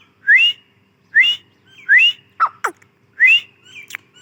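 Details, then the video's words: Grey francolin female uttering upslurred whistles roughly every second, with a couple of sharp falling clicks between them. "Teetar awaz | Teetar voice | gray francolin teetar sound | Teetar ki Awaz bohra Teetar awaz"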